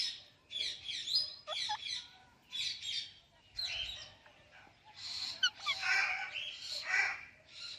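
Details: Pet Indian ringneck and Alexandrine parakeet chirping together, a dense run of overlapping high, scratchy chirps and squeaks in rapid clusters, with a low background hum.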